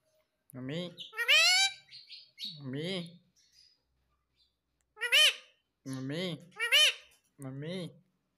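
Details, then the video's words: A talking pet parrot, kept to repeat papa and mummy, makes a run of word-like calls and shrill squawks. Some bursts are low and throaty, others bright and arching. The calls come in irregular groups with one longer silence. "पापा मम्मी बोलने वाला मिट्ठू || Talking Parrot || Papa Mummy Bolega Mitthu"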